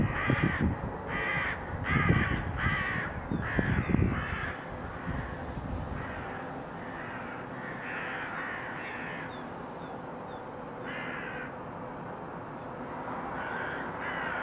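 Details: A flock of crows in February 2023 caws in a rapid burst of short harsh calls, then keeps calling more loosely; thumping low-frequency knocks or handling noise in the first four seconds.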